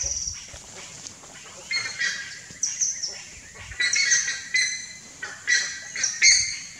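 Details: Young Buff-necked Ibis in the nest give harsh, high, raspy begging calls in short bursts about every half second to a second.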